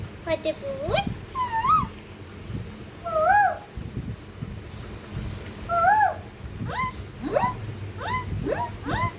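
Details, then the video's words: Talking ringneck parakeet indoors producing short, spaced speech-like syllables, each a quick rising or arched tonal note with harmonics, repeated irregularly over nine seconds. "Talking parrot ❤️❤️"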